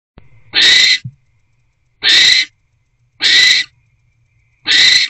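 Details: Barn owl in a nest box at 10:17 pm on 20 January 2024, as the male delivers a small rodent and the pair mate. Four harsh, breathy hissing screeches, each under half a second, come roughly every 1.4 seconds in a quiet night background.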